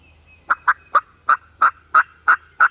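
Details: Eastern wild turkey gobblers (Meleagris gallopavo silvestris) in Mississippi at dawn, with longbeards and hens around: a fast, throaty rattle of about eight gulping notes in two seconds, with a faint low hum underneath.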